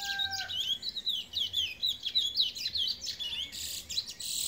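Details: Brown bullfinch singing: a continuous rapid warble of high, twisting chirps and slurred notes, rising and falling quickly, after two short low whistles at the start. A hiss of noise enters near the end.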